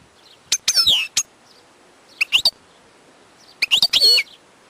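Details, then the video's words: Wild European goldfinch giving three short bursts of high twittering, squeaky notes with slurred whistles, separated by quiet gaps of about one second. "chant chardonneret sauvage/ تغريد حسون نار"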